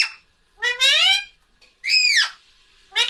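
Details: Pet parrot attempting to say "mummy" to call its owner: two drawn-out harmonic utterances, the first rising steadily, the second arching up then dropping, then the start of a third, in a quiet room.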